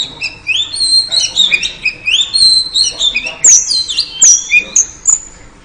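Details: Female oriental magpie-robin calling to lure a male: clear whistled slurs and rising notes, then sharp high down-swept whistles, heard over low steady background hum.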